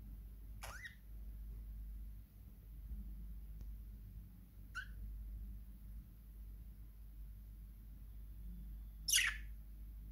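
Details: Pet budgerigar giving a few brief, scratchy chirps spaced several seconds apart over a low hum.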